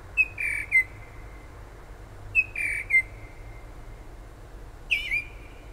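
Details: Unidentified bird singing outside a kitchen window at night or early morning near the shore in Toms River, New Jersey; two sharp whistled phrases falling toward a long steady tone, then a higher burst, over low background hum.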